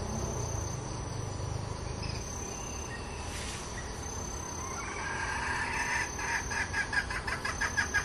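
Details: A red junglefowl decoy hen gives a run of quick, nasal clucking notes, about three per second, rising in strength toward the end over a steady insect hum.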